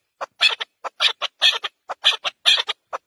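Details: Chukar partridge calling in quick, harsh clucking notes grouped in twos and threes, roughly one group each second, sharp and fairly high.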